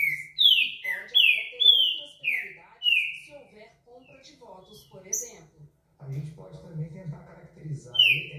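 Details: Green-winged saltator whistling a run of descending slurred notes over three seconds, followed by softer sounds and low rumbling background noise, then one more whistle at the close.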